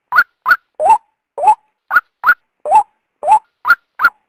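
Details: Rhythmic calling of a female white-breasted waterhen, used to draw the male out from cover. Clipped upward-sliding notes, some higher and some lower, come in uneven pairs, with no other sounds.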